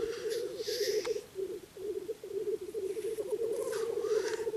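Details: An old male black grouse at a lek on a cold spring morning before dawn gives a steady, low bubbling coo, greeting the coming morning. Soft hissing sneezes break in now and then.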